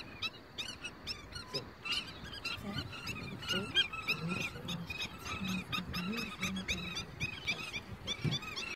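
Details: African skimmers flocking at sunset to roost for the night near an exposed sandbank on the Chobe River, Botswana, giving a dense chorus of sharp, yelping kip notes that overlap rapidly, over a steady low rumble like a motor.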